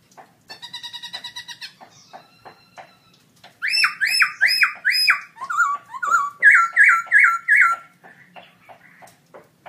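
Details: Black-throated laughingthrush in a cage at an October 2016 song contest, delivering a loud song: a rapid stuttering trill, then strong, repeated, downward-bending whistled phrases and a run of bright, looping notes, set against soft background clicks.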